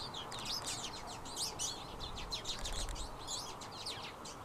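A twite gives a fast, continuous twittering of high, buzzy chirps and trills, over a steady low rushing background like wind.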